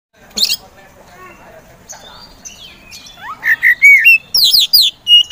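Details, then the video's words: Kacer poci, an Oriental magpie-robin kept for songbird contests, singing as a provoking bird to get reluctant birds singing. It starts with faint scattered notes, then loud sharp whistles, slurred rising notes and rapid high chips toward the end. "KACER POCI GACOR SANG PROVOKATOR || LELET SUSAH BUNYI SEKIAN DETIK LANGSUNG GACOR AWOR AWOR"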